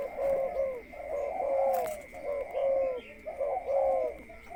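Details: Caged spotted dove being conditioned before going into a breeding cage, giving low, mellow coos in phrases of two or three soft notes, repeated steadily, with a constant faint electrical whine behind.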